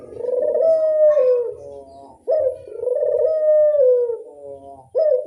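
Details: Barbary dove lure call of repeated rich, purring coos that rise slightly and then sag into a quieter tail. A faint low rumble runs underneath.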